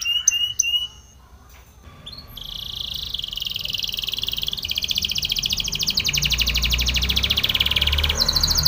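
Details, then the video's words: Training song of a Spanish Timbrado canary, opening with a few sharp chirps, then a short pause before a long, even, metallic rolling trill held for several seconds, briefly broken near the end. "Spanish Timbrado canary song for training"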